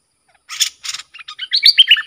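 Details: Bulbul used as a lure bird, worked up against rival wild birds. Two short harsh rasping bursts come first, then a string of quick whistled chirps that rise into clearer, sharper notes.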